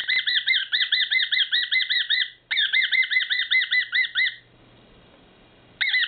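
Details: A male whiteface cockatiel gives his rare, bizarre excited call: rapid, harsh, repeated squawks, about five per second, in two bursts, a brief pause, then again.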